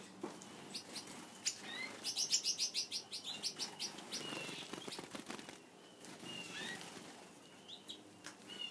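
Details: Gouldian finches kept as pets, at their favourite food near their owner: a rapid run of about a dozen clicky high notes mixed with wing flutters, then quieter scattered chirps.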